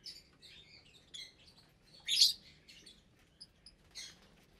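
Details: Lovebirds feeding together in an aviary, January 2023: thin squeaky chirps and twittering, then one loud shrill squawk near the middle, followed by a few softer notes. Breeding pairs and chicks share the cage.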